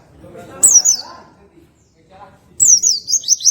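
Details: Two bright, high, wavering phrases from an oriental white-eye, sung in the relaxed ngroll tembakan style, with faint low murmuring sounds between them.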